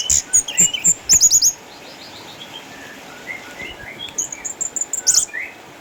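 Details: Eight-year-old caged orange-headed thrush in Sukabumi, retired from contests by cataracts yet still in full voice: a fast string of loud piercing high chips, a quieter stretch of sliding whistles, then more bright chattering notes.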